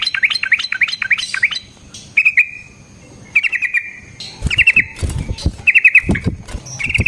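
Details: Yellow-vented bulbul in long fighting song for luring and training: bursts of quick slurred chirps alternate with short flat whistled phrases, with some low knocking sounds in the background.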